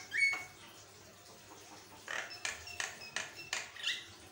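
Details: Javan myna in energetic, varied song, used as a master recording for training other mynas: a sharp high whistle opens, followed after a pause by a run of six harsh, scratchy bursts spaced about a third of a second apart.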